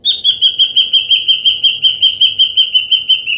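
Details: Ashy drongo recorded in the wild, used as a trapping lure: a long, steady series of clear whistled notes repeated about three times per second at a constant pitch, evenly spaced, with little background noise.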